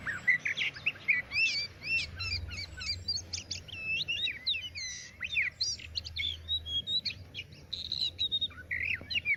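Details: Oriental magpie-robin pouring out a continuous, loud song of twisting whistles, sharp chips and mimicking trills, phrases running close together with hardly a gap, over low background rumble.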